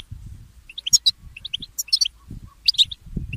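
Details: Goldfinch mule, a goldfinch hybrid, singing in the early morning: quick bursts of bright, high twittering notes and short chirps in uneven clusters, with soft low thumps and rustling underneath.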